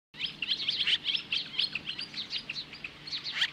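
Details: Osprey at its nest near Lolo, Montana, Hellgate Canyon, standing off magpies at 10:26 AM on July 15, 2015: a rapid, uneven run of high, sharp whistled chirps, about three or four each second, with a faint low hum beneath.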